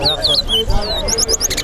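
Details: Large-billed Seed-Finch (towa towa) singing at a bird-singing competition ground in Lusignan: quick, sweet whistled phrases slurring up and down at high pitch, over low murmuring voices of people nearby.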